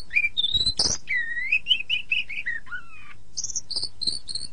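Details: Oriental magpie-robin (kacer) training song, meant for playing to songbirds in the morning or evening: a varied run of clear whistled notes, including a rising slur, a falling series, and high repeated chirps.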